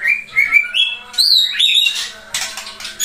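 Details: A Pasaman-strain white-rumped shama, loud-voiced and used as a song tutor for other shamas, sings a fast, varied run of clear rising whistles, then a burst of harsher scratchy notes, over a faint low hum.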